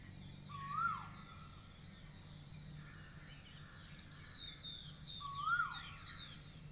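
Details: Asian koel singing: two clear whistled notes about four seconds apart, each sliding up then dropping sharply, over steady low hum and a constant high electronic-like tone.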